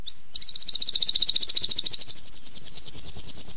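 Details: Canary opening with a single upslurred note, then launching into a long, rapid, very high trill that runs steadily to the end.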